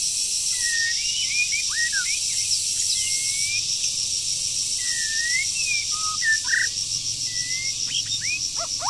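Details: Breeding-season wild forest bird in moult gives a scattered series of short whistles and slurred notes, with some sharper chirps near the end, beneath a loud shrill insect chorus.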